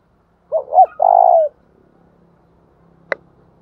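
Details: Spotted dove lure call for stimulating another dove: two quick rounded coo notes, then one long, loud, slightly falling coo, and a single sharp click about two seconds later in an otherwise quiet setting.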